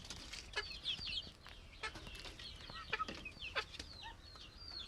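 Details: Plump chickens heard through scattered high peeps, mostly quick downslurred notes arriving in loose bursts, broken by sharp clicks and soft knocking sounds.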